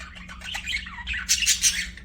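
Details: Pet budgerigars singing and chirping, a short burst of scratchy warbled chatter and squawky notes, loudest near the end, over a faint steady low hum.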